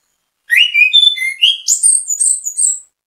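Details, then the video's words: Orange-headed thrush (anis kembang) singing as bait song to draw other birds into singing: a varied phrase of clear whistled notes, starting low and stepping up to high bright trills, about two and a half seconds long, no other sounds. "ANIS KEMBANG GACOR MEMBUAT ANIS KEMBANG IKUT BUNYI, PANCINGAN ANIS KEMBANG"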